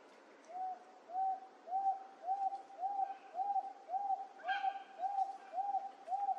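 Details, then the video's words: Wonga pigeon recorded up close in late July 2024 at Wentworth Falls in the Blue Mountains, New South Wales, Australia. Mid-pitched, even coos repeat steadily about twice a second, with a brief faint higher sound partway through. "Wonga Pigeon calling"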